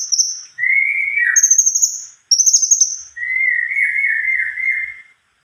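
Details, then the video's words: Cucak kombo in long, continuous song. High sustained whistles alternate with lower, wavering warbled phrases, with quick pulsing notes inside each phrase and brief pauses between them. "burung cunkok gacor.rol pjang"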